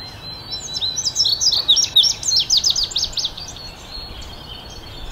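An Indigo Bunting sings a bright, high, lively phrase of paired and repeated notes lasting about two seconds, over a steady low background hiss.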